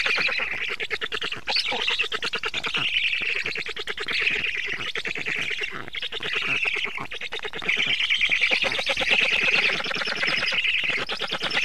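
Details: Black stork at the nest during feeding, evening of 24 June 2017 at 19:52: dense, raspy, wheezing calls pour out almost without pause, rising and falling in loudness in long noisy bursts.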